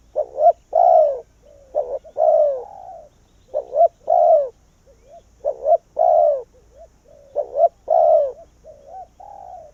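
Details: Spotted dove decoy luring wild doves, rhythmic cooing phrases roughly every two seconds, each with short accented notes and a long descending coo, softer low coos linking them.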